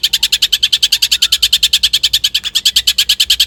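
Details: Long-tailed shrike (cendet) song used as a lure to stimulate shrikes to sing: a rapid, even train of harsh high chattering notes, roughly three per second-plus, steady throughout with no other sounds.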